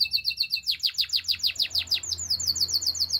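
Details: Canary singing a quick run of repeated sweeping whistled notes, about six per second, sliding into a slightly higher, softer series of chirps.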